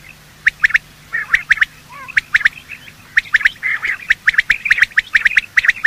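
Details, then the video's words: Male and female quail giving morning calls, recorded for quail hunting. A slow start with scattered chirps and a soft falling note, then quick runs of sharp, repeated notes in close succession. "Quail calling sound"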